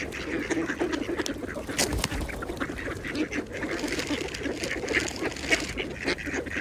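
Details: Pond-feeding mallards chatter in soft, rapid quacks while a sharp splash cuts through near the middle; busy dabbling and water noise fill the background.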